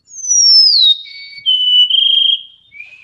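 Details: Golden-crowned Sparrow song from the Tonquin Valley, Jasper National Park, in the Rockies, a regional dialect: a high whistled first note bending smoothly downward, then a steady lower whistle with a slight trill, ending on a short lower note.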